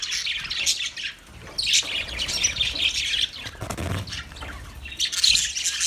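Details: Budgerigar chirping recorded 9 March 2024: dense, high twittering and scratchy warbles in bursts, easing briefly before rising again, with a dull low thump partway through.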